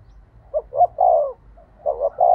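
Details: Decoy spotted dove cooing to spur other doves to call: soft low coos in two groups, brief notes leading into a longer drawn note, over a faint low background hum.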